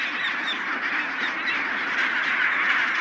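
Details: Chinstrap penguins calling together in a big colony on Deception Island, near the northern end of the Antarctic Peninsula: a dense, continuous chorus of overlapping harsh, braying squawks with no clear gaps between callers.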